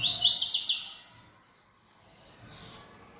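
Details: Caged yellow-bellied seedeater in full song. A loud, quick run of high, zigzagging whistled notes lasts under a second, followed by near silence with a faint distant hiss.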